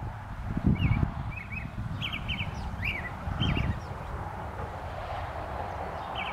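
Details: American robin singing on April 25, 2018, in south-central Saskatchewan, Canada: short, clear caroling phrases in a steady string, about two per second, quiet behind a heavy low rumble of wind.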